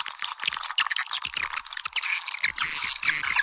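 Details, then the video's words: Calls used to draw swiftlets into swiftlet houses: a dense chorus of squeaky, overlapping chirps and trills, fluttering and pulsed, with brief clear whistled notes rising above the chatter toward the end. "Âm thanh nhà yến, tiếng gọi chim yến"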